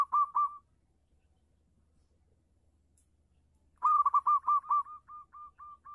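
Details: Local zebra dove singing with a clear voice: quick bursts of soft, stuttering coos repeated on one pitch, a brief phrase at the start, then a longer run of evenly spaced coos after a pause. The background is quiet.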